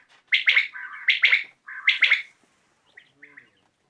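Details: Common quail calling in the evening, three-note phrases linked by lower buzzy notes, then fading fainter calls.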